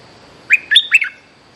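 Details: Bulbul song used for luring: one brisk phrase of three bubbly, whistled notes, each sliding up and down, lasting about half a second against soft background hiss.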